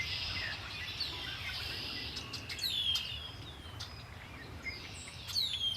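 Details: A long high buzzy trill opens this birdsong by Lake Erie, followed by falling whistled slurs and scattered chirps from more than one bird, over a faint low rumble.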